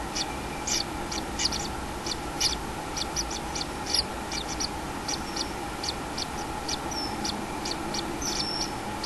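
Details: Common kingfisher at the nest with a chick on 6 July 2016 gives a busy scatter of high clicky chips, bunched at first and then spacing out, with a steady background hum.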